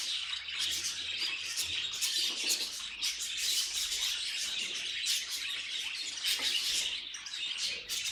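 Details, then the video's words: Budgerigars calling in a noisy group: shrill chirps and chattering warbles overlap densely, with sharper single notes popping out over the continuous twittering. "Funny Budgie Noises"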